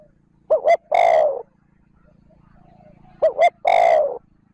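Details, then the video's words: Lure spotted dove calling in 'trơn ròng' style: two phrases of a quick double coo plus one extended coo, about three seconds apart, over a low steady humming background. "Tiếng cu gáy trơn ròng thúc gù gáy kích bổi nhanh nổi / Cu gáy gọi trơn ròng"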